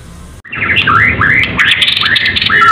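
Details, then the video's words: White-rumped shama of the Medan type, in vigorous 'gacor' full song ready for a singing contest: loud, fast run of rising and falling whistled notes packed closely together, with faint low background noise. "murai batu medan gacor siap ikut lomba || murai batu gacor full isian || murai batu gacor"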